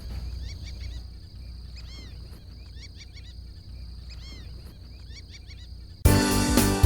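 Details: Fulvous whistling ducks in Lake County, Florida, a nocturnal duck that feeds in big wetlands at night, give clusters of thin, squeaky, nasal whistles every second or so over a steady high hum; a loud burst of music cuts in at the end.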